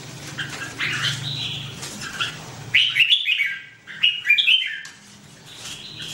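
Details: Red-whiskered bulbul giving crisp whistled phrases. Faint chirps come first, then two loud, lilting three-to-four-note bursts about a second apart, over a soft low hum.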